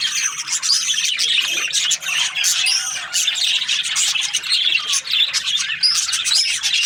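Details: Chirping budgies from breeding pairs: squeaky whistled notes and harsh chatter layered together, punctuated by sharp clicks, with a few short gaps in the noise.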